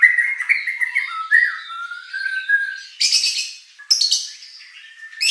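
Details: Shama song played to stir competition birds into singing: varied warbling whistles, a long rising whistled note, then harsh buzzy high bursts between clearer whistles.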